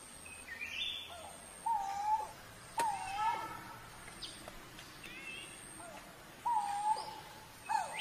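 A low, mournful whistled note, slightly wavering, given every couple of seconds; faint higher chirps from other birds and steady insect hiss behind.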